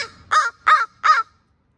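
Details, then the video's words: Grown young female crow yelling over territory alongside her mother: three loud, harsh, evenly spaced caws, each short and nasal, in quiet surroundings. "Crow Cam: Girl Voices"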